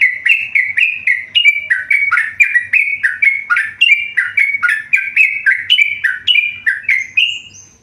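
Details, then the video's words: Tame yellow-vented bulbul singing energetically: an unbroken stream of quick, warbling, down-slurred notes for nearly eight seconds, ending in a thin high note. Faint low hum behind. "burung trucukan gacor jinak"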